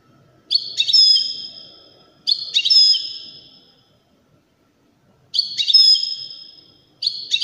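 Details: Goldfinch of the Widani kind giving four clipped, metallic twittering phrases separated by pauses, each ending in a long ringing high note that dies away in near silence.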